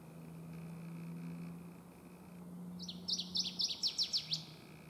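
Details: A Northern Waterthrush sings over a swamp in early morning before sunrise: a loud, ringing run of about ten sharp down-slurred notes that speed up toward the end, over a steady low hum.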